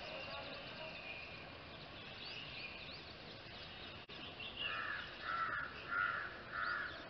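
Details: An Indian grey hornbill calling in a Pune city neighbourhood gives four loud, harsh squealing notes about every 0.6 seconds, after a busy background of other birds' chirps and whistles.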